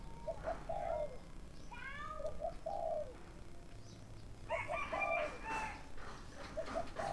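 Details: Decoy spotted dove calling to lure wild doves, in the thúc and gáy gọi calling styles: soft, low, hollow coo phrases at intervals, mixed with higher chirping from other birds and steady background noise.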